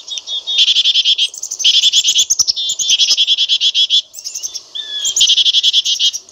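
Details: Dense, buzzy strings of quick repeated notes from a black-capped chickadee, running in bursts of one to two seconds with barely any gaps between them.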